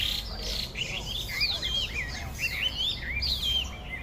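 A Chinese hwamei sings a loud, rich stream of varied whistles and slurred phrases, rising and falling quickly between notes, over a faint background hum.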